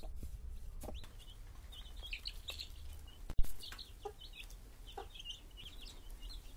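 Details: Chickens: mother hens caring for their chicks. Scattered thin, high peeps from the chicks come over a low, steady rumble, with a few soft clucks and one sharp knock midway.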